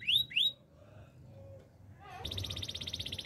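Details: Canary gives two loud upswept whistles, then near silence with faint low tones, followed by a quieter, rapid, high trill rolling on evenly to the end.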